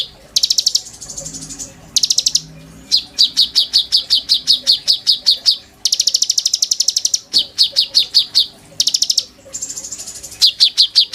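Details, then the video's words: Caged oriental magpie-robin in full song, kept to teach white-rumped shama the 'sujud' style. Steady series of sharp ringing chips, roughly two or three per second, broken by several brief harsh buzzy bursts. "BURUNG KONIN GACOR.GURU POKAL MURAI BATU GAYA SUJUD"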